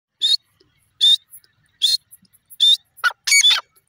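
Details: Grey francolin calling, loud high notes repeated roughly every 0.8 seconds, each a short bright burst, ending in a quicker cluster of harsher notes.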